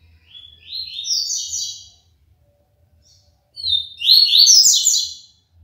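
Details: ['Caged double-collared seedeater (papa-capim) from Aracaju, Sergipe, Brazil, singing the clean tui-tui song style: two high, bright phrases of rapid buzzy notes that step upward. The phrases are separated by a short silence, and a faint low hum runs beneath.']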